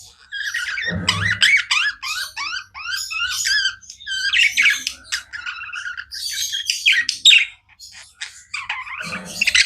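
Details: Budgies kept as pets chirping on and on, long warbling chatter of rising and falling buzzy notes, sliding squeaks layered densely, a brief low rumble at the start and close.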